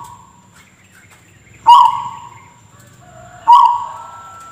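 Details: Zebra dove (perkutut) with an unusual cough-like call: after a soft faint tone, two loud abrupt harsh notes about two seconds apart, each trailing into a drawn-out fading tone, with low background hum.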